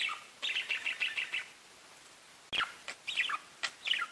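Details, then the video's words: Parakeet chatter: a quick run of evenly spaced chirps, a pause, then a sharp click followed by rising and falling warbled chirps. "Parakeets Bird Chirping and talking to each other"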